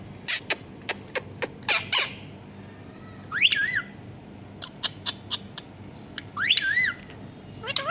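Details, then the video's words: Pet talking parrot copying a cat: a run of sharp clicking ticks, then two drawn-out, bending meow-like calls that sweep up and down, with a few clicks between them and a short call at the end. "Talking Parrot sound | Parrot Talking Mithoo put Meow meow"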